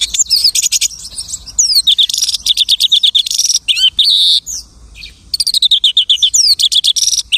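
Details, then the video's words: Lark in an unbroken, fast medley of borrowed sounds: trills, buzzes and sliding whistles tumble together with only a brief pause midway. "The lark imitates the singing of hundreds of birds."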